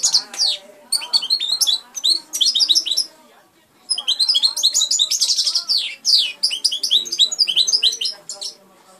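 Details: A hand-raised European goldfinch sings a rapid, tinkling, twittering song of high, liquid notes and short trills. It delivers two long phrases separated by a brief pause.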